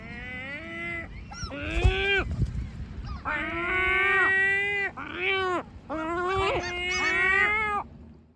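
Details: Great black-backed gulls utter drawn-out, harsh, nasal complaining wails in three long bouts, each with sharp upward yelps mixed in, over low-frequency background noise.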